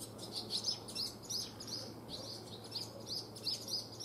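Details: Barn swallow fledglings on their first day after leaving the nest in early morning: clear high chirps repeated about three times a second, fairly close, over faint background noise.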